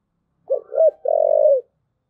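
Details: Spotted dove giving a 'thúc gù' coo: two short hollow notes, then one long, steady, slightly wavering low coo that fades at its end. The background is quiet.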